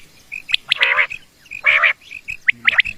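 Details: Common quail used for quail hunting, two harsh buzzy calls each led by short whistled notes, then quick sharp upward flicks, with faint low background noise.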